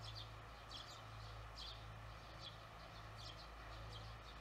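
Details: Evening barn swallows, recorded 18 June 2020 during after-work observation, giving short clusters of thin high chirps roughly every second, quiet against a constant low mechanical hum.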